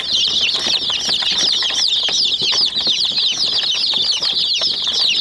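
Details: High, insistent peeping from a group of chicks going after a small white toy jeep runs without a break. Clicking pecks are sprinkled through the chorus.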